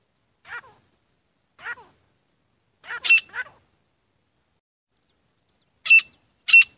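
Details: Grey francolin (Francolinus pondicerianus), call.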